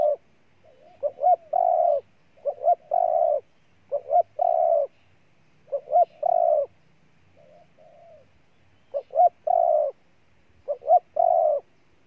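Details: Spotted dove in Ninh Thuận, Vietnam, calling steadily: soft opening note, two quick rising notes and a drawn-out coo, repeated about six times over the recording, with one quieter break.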